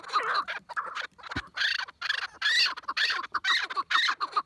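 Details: Chukar partridge calling excitedly, rough squawking chuck notes delivered in quick uneven bursts, several per second, with short silent breaks.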